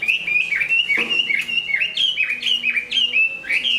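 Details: Large Chinese hwamei, known for good song and fighting, growing its new feathers; loud, rhythmic whistled phrases, each a sharp rise and quick drop, repeated about three times a second with one harsh chip partway through.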